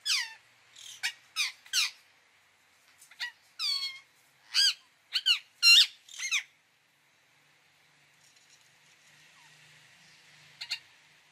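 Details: Indian ringneck parakeet uttering a series of sharp, descending squeaks and squawks, irregularly spaced over several seconds, then near silence with one final squawk.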